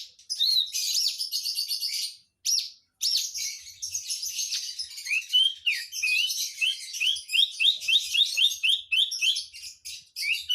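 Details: Javan bush lark from Jombang, East Java, Indonesia, singing persistently from low down: a dense, fast stream of high chirps and trills, with rapid repeated rising notes near the end, about three or four per second.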